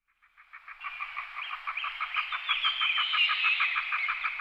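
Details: Red-breasted merganser giving a fast run of rough, croaking pulses, about three per second. The pulses swell from faint to loud and merge into a dense, buzzy chatter toward the end.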